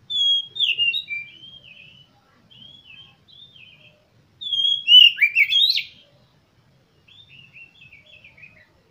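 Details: Oriental magpie-robin delivers several separate phrases of clear, gliding whistles, the middle one loud and jumbled with quick swoops, the others softer and drawn out. It is played to stimulate captive birds into song.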